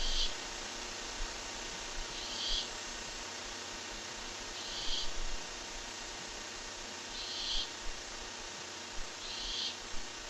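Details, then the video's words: Barn owl filmed on a live camera on July 23, 2015, making strange sounds: five faint, breathy hissing bursts spaced roughly two and a half seconds apart over a low steady background hum. "More strange sounds"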